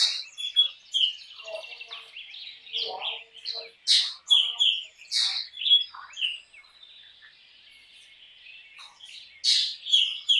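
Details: Song of a black drongo, a run of sharp rasping notes alternating with short clear whistles, delivered in lively bursts for six seconds, a pause, then two more harsh notes with whistles near the end.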